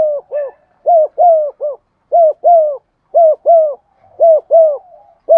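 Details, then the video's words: Spotted dove used as a lure bird, cooing to stimulate other doves: soft mellow hollow coos in rhythmic phrases of two to three notes, each note slightly rising then falling, repeated steadily with short pauses, no other sounds. "Tiếng chim cu gáy mồi thúc gù bài bản giọng son"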